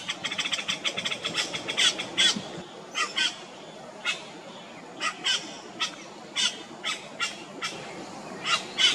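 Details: Yellow-rumped cacique on Comandatuba Island, Bahia, Brazil, in 2020, giving harsh, clicking, crackling notes: a fast chattering burst at first, then single calls spaced about half a second apart.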